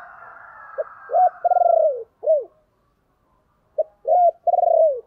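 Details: Spotted dove giving the low 'chìm' style of cooing, used as a lure call to stir up wild doves: two phrases, each a short clipped note and then a drawn-out, quavering coo sliding downward, separated by about two seconds of silence.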